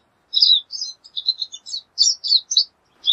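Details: Rapid, high-pitched twittering from a pine siskin: a string of short, varied chirps delivered in quick succession.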